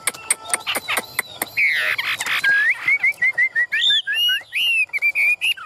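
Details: Caged, tame Chinese hwamei with yellow bill and legs, shown fanning its tail, gives a burst of sharp clicks and rough notes, then a fast string of clear whistled notes repeated in a steady series.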